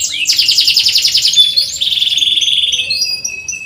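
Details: Canary chirping song used as a training recording for canaries that rarely sing: fast high buzzy trills, first steady and rattling, then dropping into a lower rolling trill and ending in quick clipped notes.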